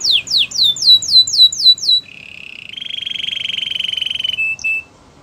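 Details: Canary song meant to coach other canaries: six quick falling whistles, then a long low buzzing trill that swells and ends abruptly.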